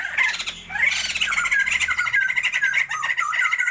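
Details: Sustained noisy laughter from a captive breeding pair of Sumatran white-crested laughingthrushes: a brief lull, then dense harsh cackles with quick up-and-down inflected notes.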